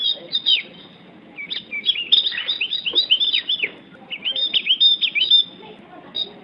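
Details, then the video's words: Javan grey-throated white-eye (opior Jawa) singing: rapid, high-pitched twittering made of short downslurred and wavering whistled notes, delivered in bursts with brief pauses. "Suara Burung OPIOR Jawa Gacor"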